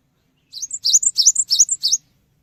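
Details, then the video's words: Cinereous tit sings a short, quick run of six bright, repeated two-note phrases, high-pitched and evenly spaced, used as a lure to prompt other birds to respond; otherwise quiet. "GELATIK BATU GACOR | Pancingan Suara Burung Gelatik Batu Cepat Respon"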